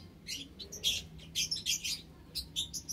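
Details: White Java sparrows kept in an aviary alongside munias, recorded March 21, 2021; several loud, slightly harsh high chirps in quick succession, a few overlapping, over faint background hum.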